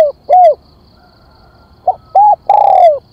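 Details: Spotted dove calling as a lure for wild doves: a coo ends a phrase, and after a pause a new phrase begins with a short note, an arched coo and a long, slowly falling coo.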